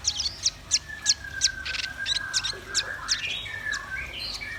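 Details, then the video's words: Song of red-billed nuthatch and white-rumped shama: rapid high chirped notes repeated about three per second over a long, steady, gently falling whistle, with further twittering toward the end. "Suara kicau burung rambatan paruh merah dan murai batu gacor"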